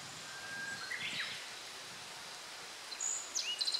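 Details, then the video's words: Song, probably of a Black-faced bunting (Emberiza spodocephala), bird not seen, July 14, 2013: a short phrase of thin, high notes, a sharp upper note, lower slurred note, then quick chips, over steady wind and leaf hiss. "アオジ"Emberiza spodocephala"の鳴き声。（囀り）"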